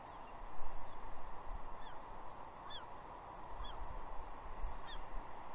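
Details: Juvenile female bald eagle at Two Harbors, Catalina, 30 June 2021, mantling and squeeing at her father for breakfast fish; four clearer high, falling whistled notes with faint lower overtones over hiss.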